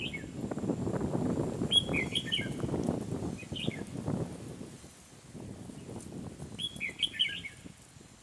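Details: Red-whiskered bulbul fighting song during trapping with an old caged decoy bird, recorded 12 April 2018 in a boxing-style contest. Short bright warbled phrases come in bursts, separated by pauses, over rustling and low background noise.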